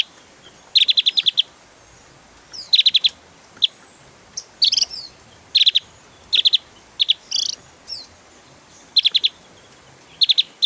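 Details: Rapid-fire song of a Javan grey-throated white-eye (opior Jawa) in top form, used to train songbirds: tight volleys of four to six high piercing chirps, interspersed with short squeaky and buzzy notes.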